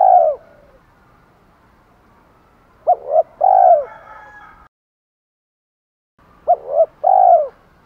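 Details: Spotted dove calling to challenge rivals and to court hens. A lone long coo opens, then two full phrases follow, each of two short rising notes and a sustained falling croon, separated by a brief silent break.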